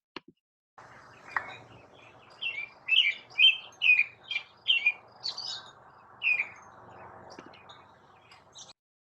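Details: An American Robin in Seattle sings a run of clear, rich caroling phrases, each a brief rising-and-falling warble, about twice a second over faint background noise.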